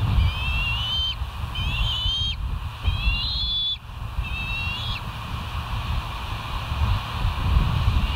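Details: Early-morning bald eagle calling at the West End live nest cam on 07/05/2023: four high whistled notes with rising, squealing overtones in the first five seconds, then only low rumbling background noise.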